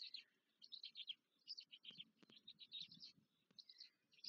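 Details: Black stork nestlings begging as they are fed, Łódź, Poland, 14 May 2023: clustered shrill wheezes and squeaks in uneven runs, with a couple of sharp clicks or taps partway through.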